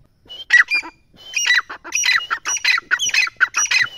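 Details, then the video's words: Partridge in an excited state calling: harsh, squawky notes in a rapid, uneven series after a brief opening burst, loud and close. "teetar ki awaz | teetar ki boli"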